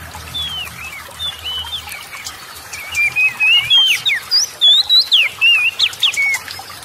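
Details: Oriental magpie-robin in energetic song, used to goad lazy magpie-robins into singing: a quick string of varied whistles, slurs and upward flicks, growing louder and denser toward the end, with a low hum at first.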